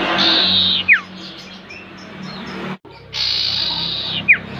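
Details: Common Iora (sirtu, cipoh) lure song: a long, drawn, buzzy high note held for about a second, dropping into a sharp falling whistle, given twice.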